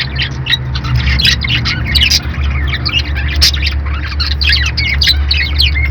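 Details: Busy budgie chattering: continuous overlapping chirps, scratchy squawks and warbled notes with hardly any gaps, over a strong low rumbling hum.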